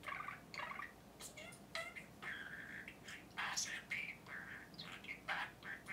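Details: Caged pet budgerigar talking at length indoors: rapid mumbled speech-like syllables mixed with chirps, clicks and short whistles, continuous chatter over a faint room hiss.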